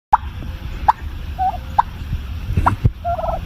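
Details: Pet turkey hen making soft little bubble-popping sounds: short clicky pops and brief warbled notes spaced about every second, over a low background rumble.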